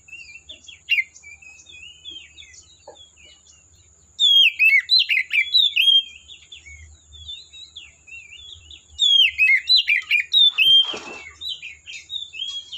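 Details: Extended forest song of an Oriental magpie-robin: soft twittering, then two loud bursts of rapid, varied whistled and slurred notes, separated by quieter chattering phrases, with a brief rustling noise midway.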